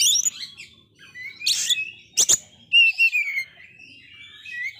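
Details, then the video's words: Prolific Oriental magpie-robin with a failed moult, sung to rouse dispirited birds; scratchy warbles and two harsh bursts, then a loud clear falling whistle and softer trailing notes. "Kacer gagal mabung ini sangat gacor sekali Cocok Untuk mancing Mental kacer drop"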